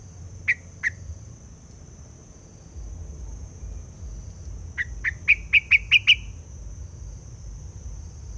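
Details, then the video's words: Lure laughingthrush singing tirelessly in the forest during bird trapping: two separate sharp notes, a pause, then a fast run of seven bright notes rising slightly in pitch, with a constant thin high-pitched whine behind. "chim hoành hoạch trắng hót cực sung"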